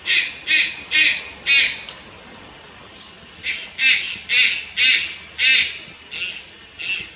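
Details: Malayan night heron juvenile filmed in Lugu on 30 July 2022 calling in two bursts of loud, harsh, breathy rasps, about two per second, separated by a short silence.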